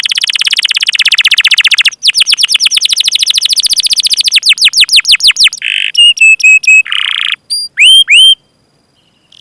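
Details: Canary training recording used to stimulate other canaries to sing: long rapid trills of strong high notes, buzzy rolls, then sharp rising chirps and short whistled phrases, very loud and clean.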